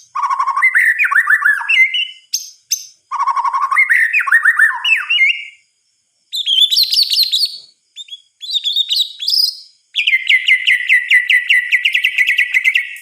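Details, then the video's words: Nocturnal song of a white-rumped shama, suited for prompting other shamas to sing: repeated rich warbled phrases with rising slurs, high bursts of sharp notes, and a long fast trilled run at the end. "Suara Kicauan "MURAI BATU" di Malam Hari"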